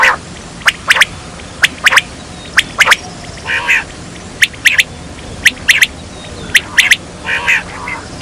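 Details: Hunting lure of a quail calling: loud, abrupt double and triple notes, each group about a second apart, mixed with occasional rough, nasal squawking bursts and constant background hiss.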